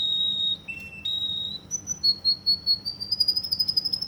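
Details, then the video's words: Russian canary in Kuwait singing long steady whistled tones that drop and rise in pitch, then a quickening high rolling trill of pulsed notes toward the end. "Russian canary from Kuwait"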